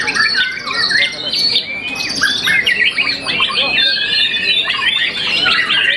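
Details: Young white-rumped shama that has moulted once, a contest winner, singing loud, clear whistles mixed with rapid chips and descending slurs.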